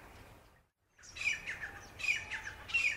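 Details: Grey francolin, an introduced game bird in Hawaii's lowlands, giving harsh, squawking notes, repeated about every two-thirds of a second after a brief pause, loud and high-pitched.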